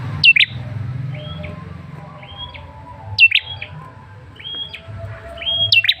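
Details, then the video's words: Male red-headed tailorbird calling as a lure: sharp downslurred chirps interspersed with flat, slightly rising whistled notes, repeating in a loose rhythm over faint low noise. "Suara pancingan Prenjak Kepala Merah jantan"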